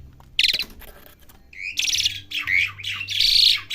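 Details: Young Asian pied starling learning to sing: harsh, buzzy squawky phrases broken by a couple of short whistles, starting quietly and growing louder toward the end.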